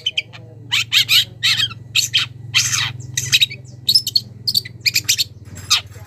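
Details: Long-tailed shrike, a young wild bird, calling a rival with harsh grating squawks and scratchy buzzes in rapid clustered bursts, some notes clipped and repeated, with a constant low background hum.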